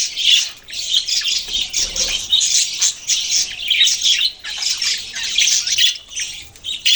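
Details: Busy budgerigar chatter: many overlapping chirps and rasping squawks pulse in waves about once a second, with no other sound competing.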